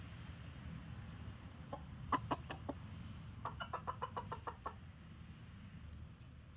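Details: Chickens giving an alarm call to warn the flock: a burst of sharp, repeated clucks, two groups of rapid staccato notes over low background rumble, with faint high chirps of small birds.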